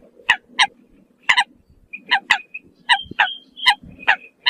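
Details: Eurasian coot calling to its flock: short, sharp, honking notes in a loose, irregular series of about a dozen calls, some with a brief whistled tail, over a faint low background murmur.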